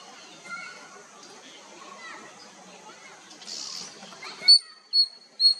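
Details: A common tailorbird at Doddenekundi Lake, Bangalore, in March 2022 gives three loud, sharp, high notes about half a second apart near the end, after a soft murmur of background sound.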